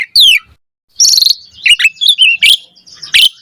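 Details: Asian pied starling in active song, a lure to prompt responses; a short descending squeal, a pause, then buzzy chattering notes and sharp high chirps.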